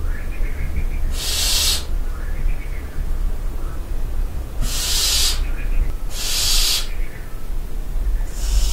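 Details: Barn owls at night in the dovecote of the castle at Barbirey-sur-Ouche: four harsh, hissing screeches, each under a second long, come at uneven gaps, with faint high chirps between them and a steady low rumble underneath.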